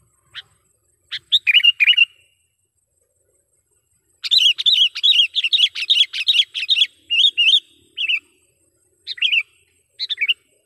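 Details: Sooty-headed bulbul calling as a trapping lure: scattered sharp chips, a brief warbled phrase, then a long lively series of rapid, repeated bubbly notes that slows into separate chirps toward the end.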